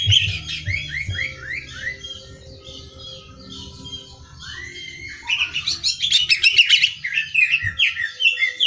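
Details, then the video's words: Greater green leafbird singing as material for song contests, starting with a quick run of whistled notes, a quieter stretch with long sweeping whistles, then an energetic burst of rapid chattering trills. "Cucak Hijau Gacor Hiper Ampuh Buat Bahan Lomba"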